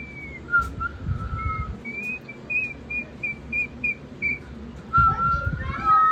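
A sulphur-crested cockatoo whistles clear, steady notes, some long and level, others short and repeated about once a second, over low background rumble.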